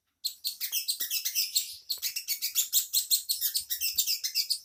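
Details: Bird kept as a master song for training white-rumped shamas and magpie-robins: a rapid, unbroken run of high, sharp chirps, roughly five notes per second, steady in loudness throughout.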